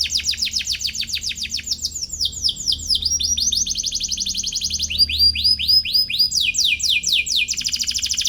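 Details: Atlantic canary singing as if challenging a rival, for tutoring young canaries; quick sequences of sharply swept notes repeat in changing tours, some rising, some falling, without pause.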